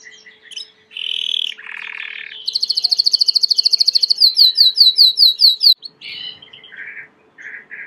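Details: Varied Belgian canary song: buzzy mid-pitched notes, a rapid high rattling roll, then repeated sharp sweeping notes, followed by scattered lower chirps and short warbles; faint hum behind.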